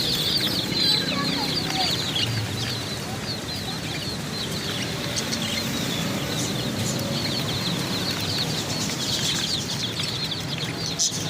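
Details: Many chicks chirping at once while new chicks and birds are bought, a dense overlapping chorus of high, short peeps with low background rumble and scattered noise throughout.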